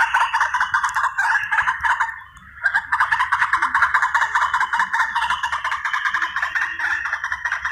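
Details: Hunting lure of white-breasted waterhen: rough, grating calls crowded together at about two and a half per second, pausing briefly midway before the raucous chatter resumes.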